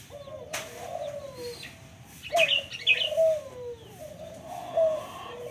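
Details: Local turtle dove with low, hoarse, falling coos. Sharp clicks, possibly wing flaps, and bright high chirps from another bird overlap in the middle.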